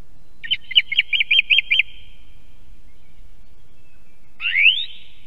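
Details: Song thrush at an osprey nest camera in Estonia, giving a typical phrase of about seven identical sharp notes repeated rapidly, then after a pause a single rising, scratchy sweep; quiet background otherwise.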